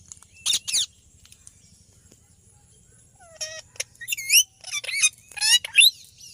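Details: Rose-ringed parakeet giving chirping calls: a couple of sharp screechy notes, a quiet pause, then a cluster of squeaky, bending high chirps and squawks toward the end.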